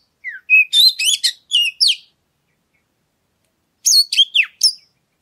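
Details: Oriental magpie-robin song for prompting other birds to sing: quick sequence of high whistled and chattering notes, then about two seconds of silence before a second rapid burst ending in a falling slur.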